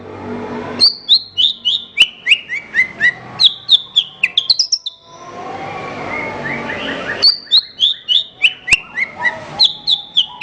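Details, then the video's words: Horsfield's bush lark song used as a master recording to train songbirds: runs of sharp, high downslurred chirps, each bursting with a noisy click, in fast series, broken by a pause of softer scratchy warbling before the chirping resumes. "Ocehan Suara Burung Branjangan"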